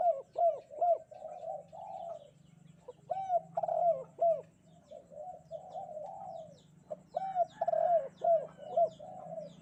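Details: Spotted dove cooing on a bright morning, repeated phrases of short arched coos leading into longer low notes, several bursts in a row with brief pauses.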